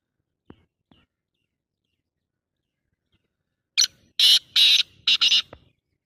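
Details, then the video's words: After a few soft clicks and silence, a black francolin (kala tater) bursts into a loud, harsh run of four rasping, buzzy notes lasting about two seconds. "Full masti wali voice tater totes ki bhot saf awaz black tater birds"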